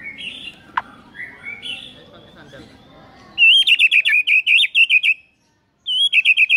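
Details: Morning lure song by a white-rumped shama to prompt other birds to sing: soft distant whistles at first, then a loud fast wavering trill, a short break, and another trill.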